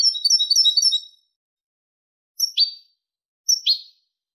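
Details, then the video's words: European goldfinch clean song, 2023: a second of rapid, high, tinkling twitter, followed after a pause by two sharp, bright double chirps about a second apart. "canto del jilguero limpio"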